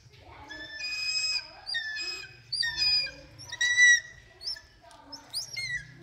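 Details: During training a hawk-eagle utters spaced series of shrill, ringing whistles, several sliding up or down at the end, between quieter pauses; faint low background hum.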